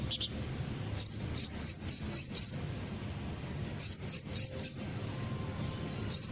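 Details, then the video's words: Sunbird ('kolibri ninja') lure recording meant to make birds sing along: very high, thin rising chirps in two quick bursts of four to five notes, separated by a short pause, with a lone chirp at each end. "pancingan suara burung kolibri ninja pasti langsung ikut bunyi"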